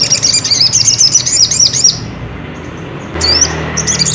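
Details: Ruby-cheeked sunbird (sogok ontong) lure song used to provoke another bird into singing: a rapid run of high, thin, arched chirps for two seconds, a pause, then short bright bursts, over a low steady hum.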